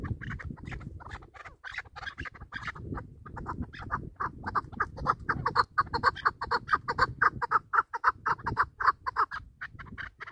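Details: Chukar partridge kept for hunting: irregular clucking notes build into a steady series of loud rhythmic chuck notes, about two per second, over a rough low background rumble.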